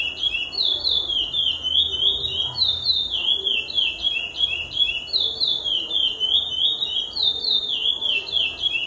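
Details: Curió, the lesser seed finch, delivering a steady stream of sharp whistled phrases, each note sliding downward, repeated roughly three times a second without pause; a soft low background hum.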